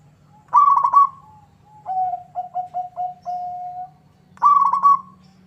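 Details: Zebra dove of local stock in full song, meant to make a rival answer: a burry trilled phrase opens, followed by five or six lower clipped coos and a long level note, then the trill returns. A faint low hum sits beneath.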